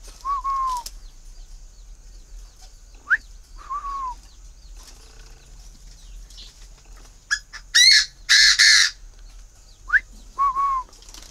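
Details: Captive, hand-raised Chinese francolin calling in October while kept waiting for a female mate. A loud, harsh, strident multi-note burst stands out near the end. Softer whistled, down-slurred notes repeat throughout, with faint background hiss.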